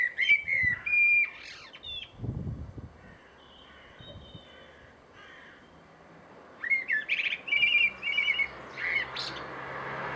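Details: Blackbird mimicking a phone sound: clear, pure whistled tones and electronic-like beeps, sharp clicks and chirps in bursts at the start and again near the end, a quieter gap between, steady background hiss.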